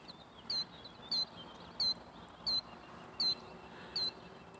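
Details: Killdeer walking around feeding, a browner female that may be carrying eggs and an approaching male, giving six high, shrill, down-slurred notes, one about every two-thirds of a second, over a steady background hiss.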